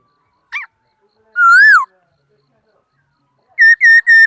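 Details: Laughingthrush singing in 2018: a short sharp note, then a long slurred whistle that rises and falls, and after a pause three loud, clear whistled notes in quick succession.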